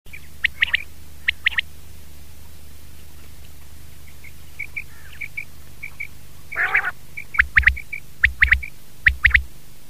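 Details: Common quail (batair), in a 2019 recording: sharp three-note calls, pwit-pwit-pwit, repeated in short bursts, with fainter single tonal notes between them and a low steady hum beneath.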